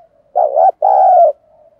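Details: Spotted dove coaxed into fast cooing to spur a fight, giving one deep two-part phrase: a brief wobbling hoot, a short gap, then a longer sustained coo, over faint soft cooing.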